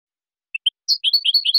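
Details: Short clean song of a European goldfinch for training juveniles: two soft high chips, then a quick liquid series of slurred twittering notes rising and falling.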